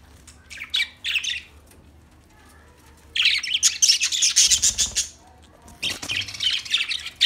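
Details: Budgerigar giving dense, scratchy warbling chatter in two long bursts separated by quiet gaps, with a few short chirps at the start.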